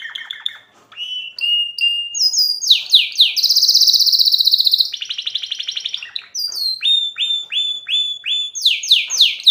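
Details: Canary chicks in excited song, pouring out rapid high trills, a long buzzy rattle and series of down-slurred whistled notes repeated about four per second, all clear with no other sounds.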